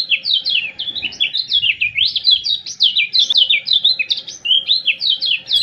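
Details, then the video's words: Lombok common iora heard in a training recording for caged birds: an unbroken stream of shrill, chattering notes, each sliding quickly down or up, packed closely together with no pauses, with a faint low hum behind. "CIAK CIAK JOS KECIAL KUNING PANCING EMOSI | PANCINGAN KECIAL KUNING MALAS BUNYI"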